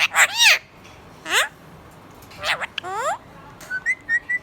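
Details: Happy budgerigar warbling in busy bursts: sweeping rising and falling whistles layered with harsh rasping notes, ending in a string of small even chirps.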